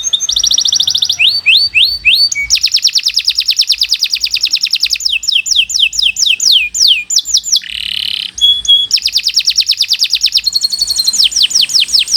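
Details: Canary, Kenari Nusantara, in a long continuous training song: alternating tours of rapid falling-note trills, quick rising slurs, a short low rolled phrase and steady high chip runs, all without pause.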